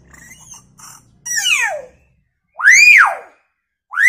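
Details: Hill myna giving chicken-sound imitations: loud, harsh, harmonic cries, first sweeping steeply downward, then a rising-and-falling arched shriek, with another beginning at the end; softer faint calls precede them.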